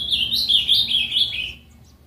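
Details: An Ultramarine Grosbeak (azulão) from Capão Bonito, interior São Paulo, gives a quick, sweet warbled phrase of high, rising and falling whistled notes lasting about a second and a half, then falls silent.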